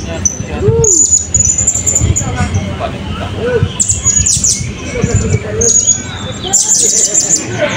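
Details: Blue-crowned hanging parrot singing at a 2024 open songbird competition in Balingian: thin, very high whistled notes and short trills in bursts, over crowd chatter, a low hum and background music.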